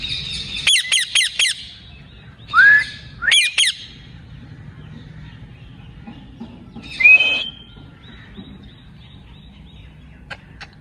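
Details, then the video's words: Pet ring-necked parakeet giving a quick run of harsh, stacked squawks, then a rising whistled note and more squawks, with a further whistle-squawk burst after a quiet gap and faint ticks toward the end. "ring neck talking parrot"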